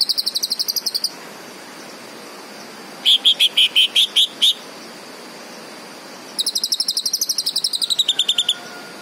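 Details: Green leafbird singing in three bursts: a rapid high trill of evenly spaced notes, a pause, then about eight louder, slower, lower chirps, then another long fast trill that drops slightly in pitch at the end.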